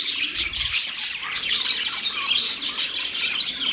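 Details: Budgerigars chirping: a busy, overlapping warble of scratchy chatter and short high squeaks, with a few sharp clicks standing out, continuous through the whole stretch.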